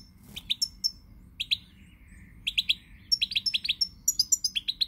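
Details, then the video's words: European goldfinch singing on 20 March 2020, a rapid chain of high, liquid twitters and paired chirps, with a short pause before the phrases quicken into a dense rattling run. "Pirlitan Chardonneret, El jilguero, bird, cardellino pezzato GOLDFINCH SONG"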